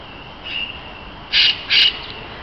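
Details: Parakeet in a mixed-species parakeet aviary at Neues Kranzler Eck, Berlin, gives two harsh, scratchy screeches in quick succession after a fainter chattering note, over a low steady background hum.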